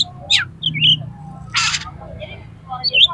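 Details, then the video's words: Highly aroused oriental magpie-robin singing to provoke other birds into fighting; a descending chip, warbled high notes, then a loud harsh rasping burst, followed by softer twittering phrases. "KACER TARUNG EMOSI TINGGI !!! PASTI LANGSUNG BUKA EKOR KACER MANAPAUN MENDENGAR INI"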